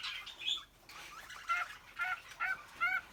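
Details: Male cockatiel in an indoor aviary whistling while courting a female: short, clear, pure whistled notes with bright overtones, repeated about every half second, rising and falling slightly, over soft chatter from other birds.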